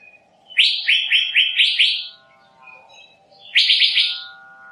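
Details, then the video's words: Asian fairy-bluebird delivering a fast series of about five loud, similar swept notes, then a pause and a second burst of four, over a faint steady low hum. "Tiếng chim Thanh Lam(Chim Lam) | The sound of the bird Irena puella"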